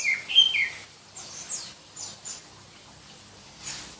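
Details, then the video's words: Black-breasted Oriental magpie-robin, a form endemic to Berau, East Kalimantan, prized by songbird-contest fans for its shrill song: loud clear whistled notes crowd the first second, then thin, faint high notes scatter over the rest. "Kicau Kacer Kalimantan"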